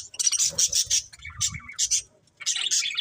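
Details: Budgerigars giving quick high chirps and squeaky twitters in clusters, with a softer lower warble in between and a brief silence before a final burst of chatter.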